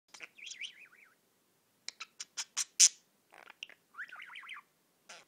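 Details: Pet budgerigar singing and tweeting: wavering, warbled whistles that rise and fall, broken by a run of sharp clicks and squeaky chirps, then another wavy warble.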